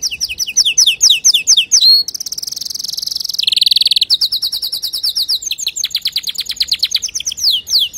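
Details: Song of a male canary meant to teach young birds: rapid repeated chirps give way to a buzzy sustained trill, a lower rolling rattle, then long series of fast, high, evenly repeated notes.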